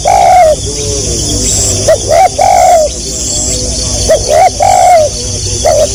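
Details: Spotted dove in the stuttering tekukur gagap style, delivering rising hooked notes followed by longer level coos, a slightly falling hoarse tone, phrases spaced over seconds, constant high insect hum behind.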